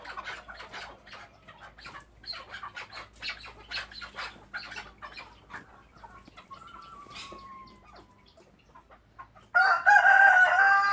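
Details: Chukar partridge kept by its owner: a long series of rapid, harsh clucking chucks for about nine seconds, a short whistled glide in the middle, then a sudden loud, rough, noisy burst at the end.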